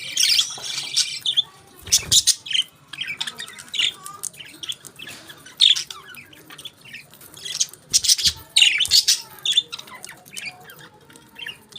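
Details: Budgerigars, while eating their favourite food, chatter with busy, scratchy warbles and sharp chirps, the bursts coming in quick, uneven runs.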